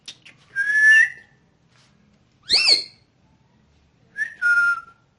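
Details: Green ringneck parrot, presented as talking in Urdu/Hindi, makes three separate whistled sounds: a level held note, a harsh upward-swooping squawk, and a final short whistle stepping down, spaced about two seconds apart in a quiet room.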